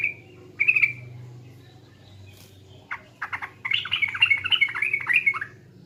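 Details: Sooty-headed bulbul from East Java, a lure recording for kept songbirds. A single clear whistled note is followed after a pause by a fast, bubbly run of liquid, warbling notes filling the last three seconds, over a low steady hum.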